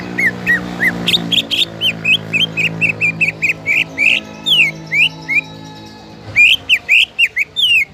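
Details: Greater green leafbird singing to trigger other leafbirds into song: clear slurred whistled notes, upslurs and downslurs in steady series, over a low steady hum, with a brief break before a livelier run.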